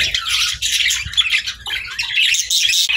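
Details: Pet budgies chattering, harsh squawky chirps and warbles in a steady jumble, with soft low bumps in the background.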